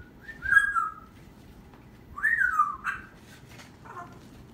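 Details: A parrot vocalizing indoors in three bursts: a long whistled tone that falls gently, a pause, then a rising-and-falling whistled slide, and finally a short, softer buzzy note.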